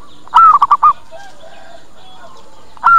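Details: Zebra dove lure call, meant to bring other doves in quickly and make them reply. One full phrase: a rising-falling coo and then a quick run of four short, soft, mellow notes. A second phrase begins at the end.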